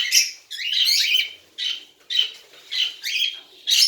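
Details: Baby cockatiel, tame, making harsh rasping squawks roughly once a second, each a short noisy burst with a faint whistled tone inside, uneven in spacing.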